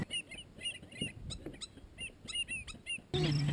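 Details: A pair of Black-necked stilts on their nest in Kansas, shading and warming the eggs during incubation, give sharp, high yelping notes in quick short bursts, repeated several times, before a sudden loud, low-pitched sound takes over at the end.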